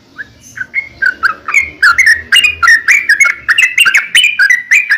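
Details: Sooty-headed bulbul in sustained lively song used to coax other bulbuls to sing; a fast string of bubbly, whistled notes that rise in volume, several per second, slightly varying in pitch.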